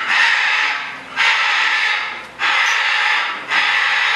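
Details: A hyacinth macaw, filmed while birds were being introduced to each other, gives four harsh, raucous screeches, each about a second long, coming roughly every 1.2 seconds with short pauses between.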